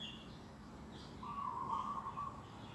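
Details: Morning in an organic garden, 11 December 2021: a single sustained, wavering mid-pitched bird note lasting about a second, with faint higher chirps and background hiss.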